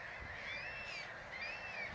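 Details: Resting adult Mediterranean gull at Källstorp wetland, Falkenberg, Sweden, 14 April 2009, on a cold day, giving two drawn-out, nasal calls that rise then fall, about a second apart, over steady background hiss.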